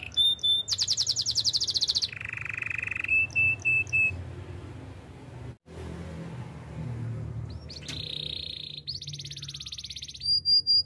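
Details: Canary song used for training: long mechanical-sounding rolls and steady whistled tones alternating with pauses, a quiet gap midway, then more buzzy trills and high whistled notes.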